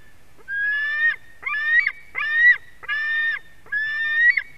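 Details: Begging white-tailed eagle chick screaming during a fish delivery at a Durbe nest camera, late afternoon of 31 August 2020: five grating, sustained screams at roughly one per second, several rising slightly at the end.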